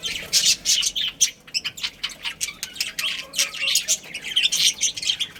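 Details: A colony of pet budgies, including a breeding pair and young, chirping together: continuous overlapping high chatter of rapid chirps, squeaks and short warbles with no pauses, moderately soft.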